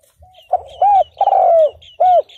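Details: Spotted dove decoy calling to draw in wild males, 2022. One loud phrase of husky coos, the long third note gliding down, with faint high chirps of another bird in the background.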